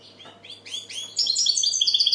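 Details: Goldfinch song starting with soft rising chirps that build into a loud, rapid trill of tinkling, evenly repeated notes.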